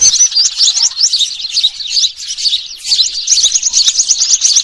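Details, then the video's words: Noisy sparrows mixed with small birds, recorded as a trapping lure on 03-06-2023; a thick continuous stream of high, sharp chirps and twitters, briefly thinning midway and then building again. "gereja ribut VS burcil ribut"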